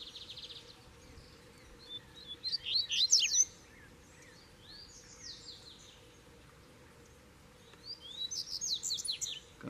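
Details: High, fast Double-collared seedeater song in Brazil, caged bird with a wild bird nearby asserting dominance: two bright phrases of rapid slurred whistles and buzzy trills, separated by quieter notes, over a low steady hum.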